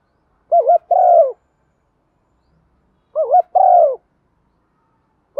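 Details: Spotted dove used as a decoy, calling in the attractive single-ending thúc vấy style. Paired phrases of a wavering double note and a long falling coo repeat about every 2.6 seconds, and a third phrase starts at the close.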